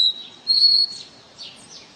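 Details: Capped seedeater, known as caboclinho, giving the pure 'Ré Mi' song: a short high note, a long steady whistle, then softer slurred, falling notes fading out.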